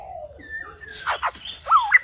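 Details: White-crested laughingthrush song: a long, low whistle slides into a higher sustained note, followed by quick harsh notes and a sharp, rising, twisting whistle at the end.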